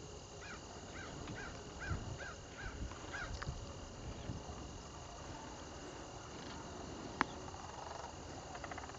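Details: A troupe of Sandhill cranes dancing together during southward fall migration on October 7, 2011, gives a string of about seven faint, arched, rolling calls over three seconds against steady wind rumble.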